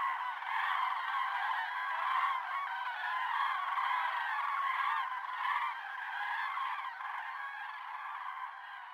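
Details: Crowd of common cranes at Embalse de la Sotonera, 5 February 2023, OM System OM-1 recording: unbroken overlapping trumpeting calls, harsh and resonant, rising and falling slightly in loudness, fading a little toward the end.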